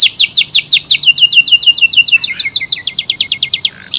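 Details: AF canary singing at length with fast, tight phrasing: a continuous run of rapid high chirped notes, descending sweeps shifting into quicker repeated syllables about every tenth of a second.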